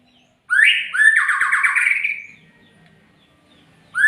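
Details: Harsh calls from a magpie-robin: a sharp rising rasp runs straight into a long, coarse, rapidly pulsed buzz lasting about a second and a half, followed by quiet and the start of another rasp.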